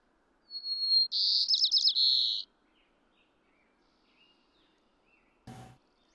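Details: White-crowned Sparrow song, with low plane noise digitally removed: a clear high whistle, then a loud buzzy trill of rapid down-slurred notes lasting just over a second, followed by near silence and one brief click.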